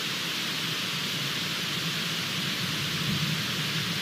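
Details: Steady broadband hiss like rain or static fills the recording, with no animal voice heard.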